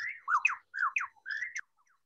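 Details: Superb lyrebird in Australia, a champion mimic that copies other birds' songs, sings three quick phrases of rich, swooping, slurred whistles, rising and falling in a mid-to-high pitch, with brief pauses between them.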